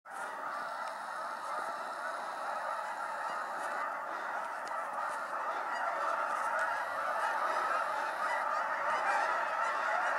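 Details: Hundreds of Canada geese suddenly taking off at Appleton Farms on 24 January 2016, a warm winter; a dense, continuous chorus of overlapping nasal honks fills the whole stretch, steady and loud, growing slightly louder toward the end.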